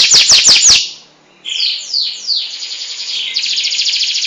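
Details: Local canary, kept as a songbird, in full song: a burst of four fast falling high whistles, a brief pause, then sweeping slurred notes and a long rapid buzzy trill.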